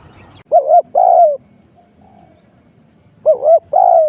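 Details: Spotted dove cooing as a decoy during trapping: two loud phrases about three seconds apart, each a quick double-humped note followed by a longer, drawn-out falling coo, with a quiet background.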